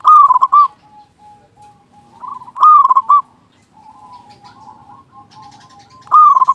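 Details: Loud local zebra dove singing to lure others: three rapid rolling coo bursts spaced about three seconds apart, joined by soft drawn-out level coos, with faint high chirps.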